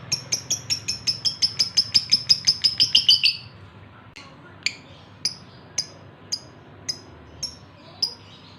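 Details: Breeding male lovebird calling to a female: fast series of sharp high chirps for about three seconds, then slower single chirps spaced roughly half a second apart.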